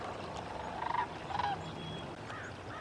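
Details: Sandhill cranes, winter visitors flying in wave after wave along a river in New Mexico's bosque in cold weather, give two rolling, rattling bugles close together, with fainter distant crane calls and a low wind hum.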